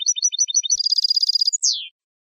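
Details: Song of a Saffron finch for educating captive birds: a handful of repeated chirps leading into a fast buzzing trill, ending with a single long descending slurred whistle.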